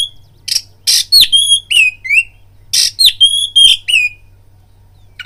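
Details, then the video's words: Oriental magpie-robin singing as a provocation lure meant to stir rivals to fight: two phrases of loud harsh bursts followed by clear whistled, sliding notes, separated by a short gap, soft steady hum in the background. "BIRAHI TARUNG KACERMU NAIK DENGAR PANCINGAN KACER INI BUNYI"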